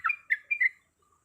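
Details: Female yellow-vented bulbul in breeding condition calling a male: a brief phrase of four bubbly, slurred notes lasting under a second, then silence.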